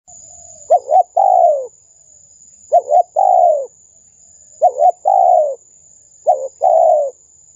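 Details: Lure sound of a spotted dove calling vigorously, played to attract wild doves: four hollow phrases, a brief stuttered double note followed by a longer sliding coo, about every two seconds over a steady high electronic whine.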